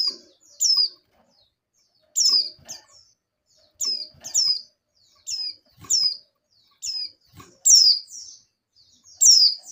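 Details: An oriental white-eye female in breeding condition calls the male, other females responding. Short, piercing, falling high notes come singly or in pairs roughly every one to one and a half seconds against near silence.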